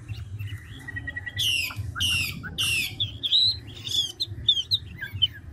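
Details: Three harsh, buzzy bursts from a large mature Chinese hwamei of the 'ngũ trường' type, followed by quicker whistled notes and chirps, over low background noise.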